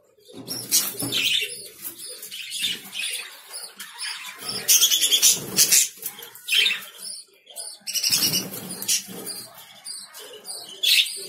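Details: Lovebirds in loud, dense chatter: harsh squawks and piercing chirps overlapping almost without pause, with brief quieter gaps between bursts.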